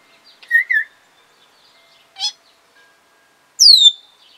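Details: African grey parrot kept as a pet, recorded 24 July 2021, giving a doubled whistle, a short raspy click, then a loud falling whistle, with quiet pauses between sounds.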